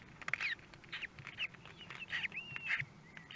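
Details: Common kestrel chicks in the nest on 24 May 2022, the day the third and fourth chicks hatched; short, high chirps and squeaky notes come in quick bursts, some sliding up or down, with one longer even whistle near the end.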